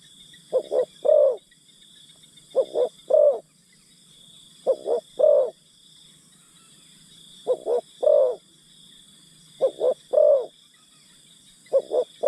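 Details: Spotted dove acting as a lure for wild forest birds, cooing steadily. Six soft, low phrases of two clipped notes and one drawn-out note follow at regular two-second gaps, with high insect hiss throughout.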